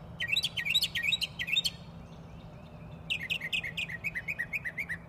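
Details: Bird chirping at a house retreat, delivering two bursts of quick, bright, downward-slurred chirps, each several notes per second, separated by a brief pause; the second run is longer and fades slightly; faint steady low hum in the background.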